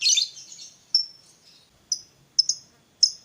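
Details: Fighter lovebird sounds meant to trigger singing in a quiet lovebird: a short, harsh, scratchy chatter, then a few piercing single chirps with gaps between them.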